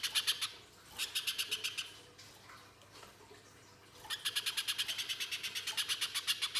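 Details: Pijantung pisang spiderhunter in rough 'nembak' style, meant to trigger other birds to sing: short bursts of rapid buzzy high notes, separated by a quiet gap of about two seconds.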